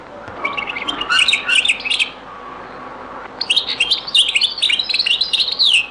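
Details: Very old recording of a European goldfinch singing the Beni Messous zaboka ('les avocats') style: a short twittering phrase of bright, chattering notes, a pause of over a second, then a longer run of jingling, slurred notes.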